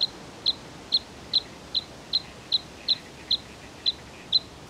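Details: Bluethroat giving a steady series of eleven short, sharp, high notes, spaced roughly every four-tenths of a second, each a brief metallic tick against faint background hiss.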